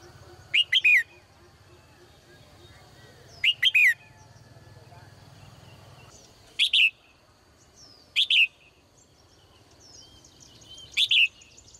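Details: Morning song of a caged female bird: short two- or three-note whistled phrases, each ending in a downward slur, repeated five times at uneven gaps of two to three seconds over low background noise.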